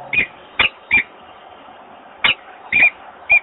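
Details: Peregrine falcon at Włocławek on 28 February 2022, male inviting the female to the nest, which she does not accept; short sharp chipping calls, single or in quick pairs, over a steady background hum.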